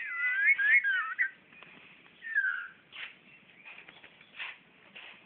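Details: Magpie-robin confronting a mirror in Brunei, 2013: a brief run of looping whistled notes, then a lone falling whistle and faint scratchy sounds, with a man speaking right afterward.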